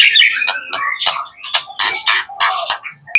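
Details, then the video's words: Young male white-rumped shama kept as a pet, delivering choppy bursts of short buzzy and chirping notes with small gaps between them, ending in a sharp click. "MB MUDA HOT MEWAHH"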